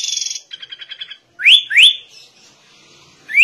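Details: Sooty-headed bulbul singing in white-rumped shama style: a high buzzy chatter and a quick ticking series, then sharp upslurred whistles, two together and one more at the end, with no other sounds.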